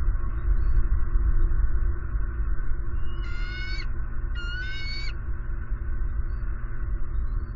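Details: Female bald eagle at a nest in Southwest Florida, announcing her mate's arrival with a fish for the eaglet: two bursts of rapid, high, thin chittering notes about a second apart, over steady low rumbling background noise.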